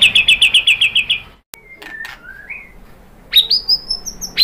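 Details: White-rumped shama lure song for prompting other birds to sing: a rapid high trill, a sudden cut, soft rising and stepped whistles, then loud high upslurred notes closing the phrase.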